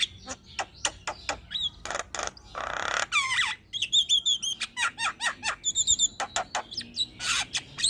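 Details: Caged Javan myna in strong song for master recording and prompting other birds: rhythmic harsh clicks, a rasping burst, then rapid high twittering whistles and repeated short squawks at an even pace.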